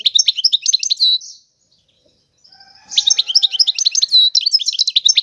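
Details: European goldfinch singing: a bright, rapid twitter of high chirps and sweeping notes in two bursts split by a pause of over a second, with a faint low tone in the gap.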